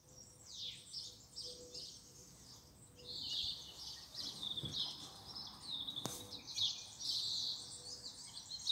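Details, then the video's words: Birds singing in a garden: high, thin twittering and trilled phrases, with a bright sustained trill in the middle, over a soft steady background hum and a single sharp click. "Bird song in my Garden"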